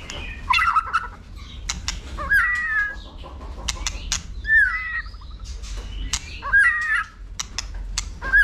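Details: Competition-stimulated white-rumped shama with tail-flicking and clicking, delivering repeated warbled whistled phrases every couple of seconds, separated by sharp dry clicks, over a low steady hum.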